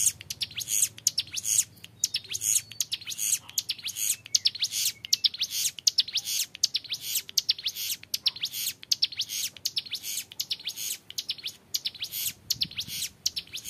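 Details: Extended ngebren song of a young hill prinia: high-pitched chattering bursts repeated almost without pause, sharp clicking notes densely stacked, sustained clearly throughout with a quiet background.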